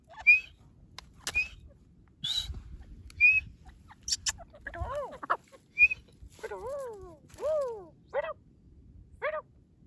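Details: Grey francolin during the breeding season: short, sharp high whistled notes at intervals, then a series of repeated harsh, arched notes, over low rumbling background noise.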